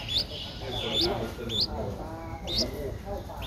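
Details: Young Streak-eared Bulbul, 12 days old, in Ubon Ratchathani, Thailand, on 14 April 2023, uttering four separate short, high upslurred chirps spaced roughly half a second to a second apart amid low ambient hiss.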